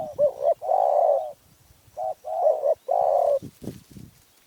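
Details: Spotted dove in Phrae, Thailand, with a small, fierce voice, delivering repeated phrases of short wavering coos and long, broad, mellow coos, with knocking and rustling sounds near the end.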